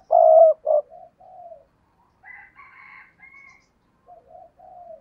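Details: Decoy spotted dove cooing intensely to lure wild doves: a loud, hoarse double coo followed by softer, falling coo notes, then after a pause a faint, higher bird chatter, ending with another soft sequence of three gentle coos.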